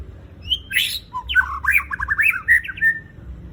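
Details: White-rumped shama (murai batu) singing a lure song with tight bursts and varied filler: a harsh burst, then a rapid chain of quick rising-and-falling whistled notes, tumbling steadily over low background rumble.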